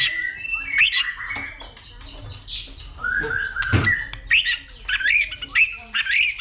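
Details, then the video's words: White-rumped shama, kept bird, singing fighting song when excited by a female: jumbled mix of whistles, harsh rasping notes and quick slurred figures, with a sharp click near the middle and a continuous varied flow throughout. "Chòe lửa kích lửa DÌU BỔI,tạch liên tục đập đuôi kích chòe lửa lên lửa hót đấu"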